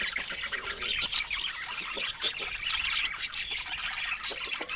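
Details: Rare budgerigars under Scandinavian daylight keep up a steady, fairly soft chatter of high, scratchy chirps. A few sharper, whistled peaks stand out, and no voices or music are heard.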